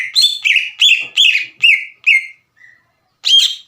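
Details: Lure song of an in-form green leafbird, meant to provoke untrained leafbirds into answering: six bright, sharp whistled notes with quick downward slurs in a fast burst, a brief pause with one faint note, then another strong whistle.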